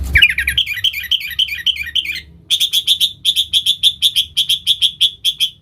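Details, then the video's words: Sooty-headed bulbul in lively full song, used as a lure call for wild bulbuls: a quick run of bubbly warbled notes, then a fast series of bright clipped chirps repeated about three per second. "Suara Burung KUTILANG GACOR Nggaruda Super Ampuh Untuk Suara Panggilan Burung Kutilang Liar"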